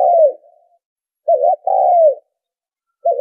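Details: Spotted dove call for luring birds, heard as a falling coo, then a short broken note and a longer sliding coo, with clean silence between.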